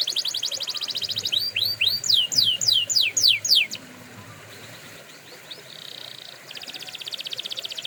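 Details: Canary song used for training canaries: a fine high trill, then a run of loud, curving downward whistles, a pause, a short buzzy trill and a renewed fast rattle.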